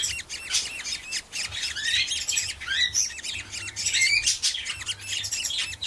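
Budgerigar chicks keep up a dense, continuous chatter of high, raspy chirps and squawks, several voices overlapping throughout.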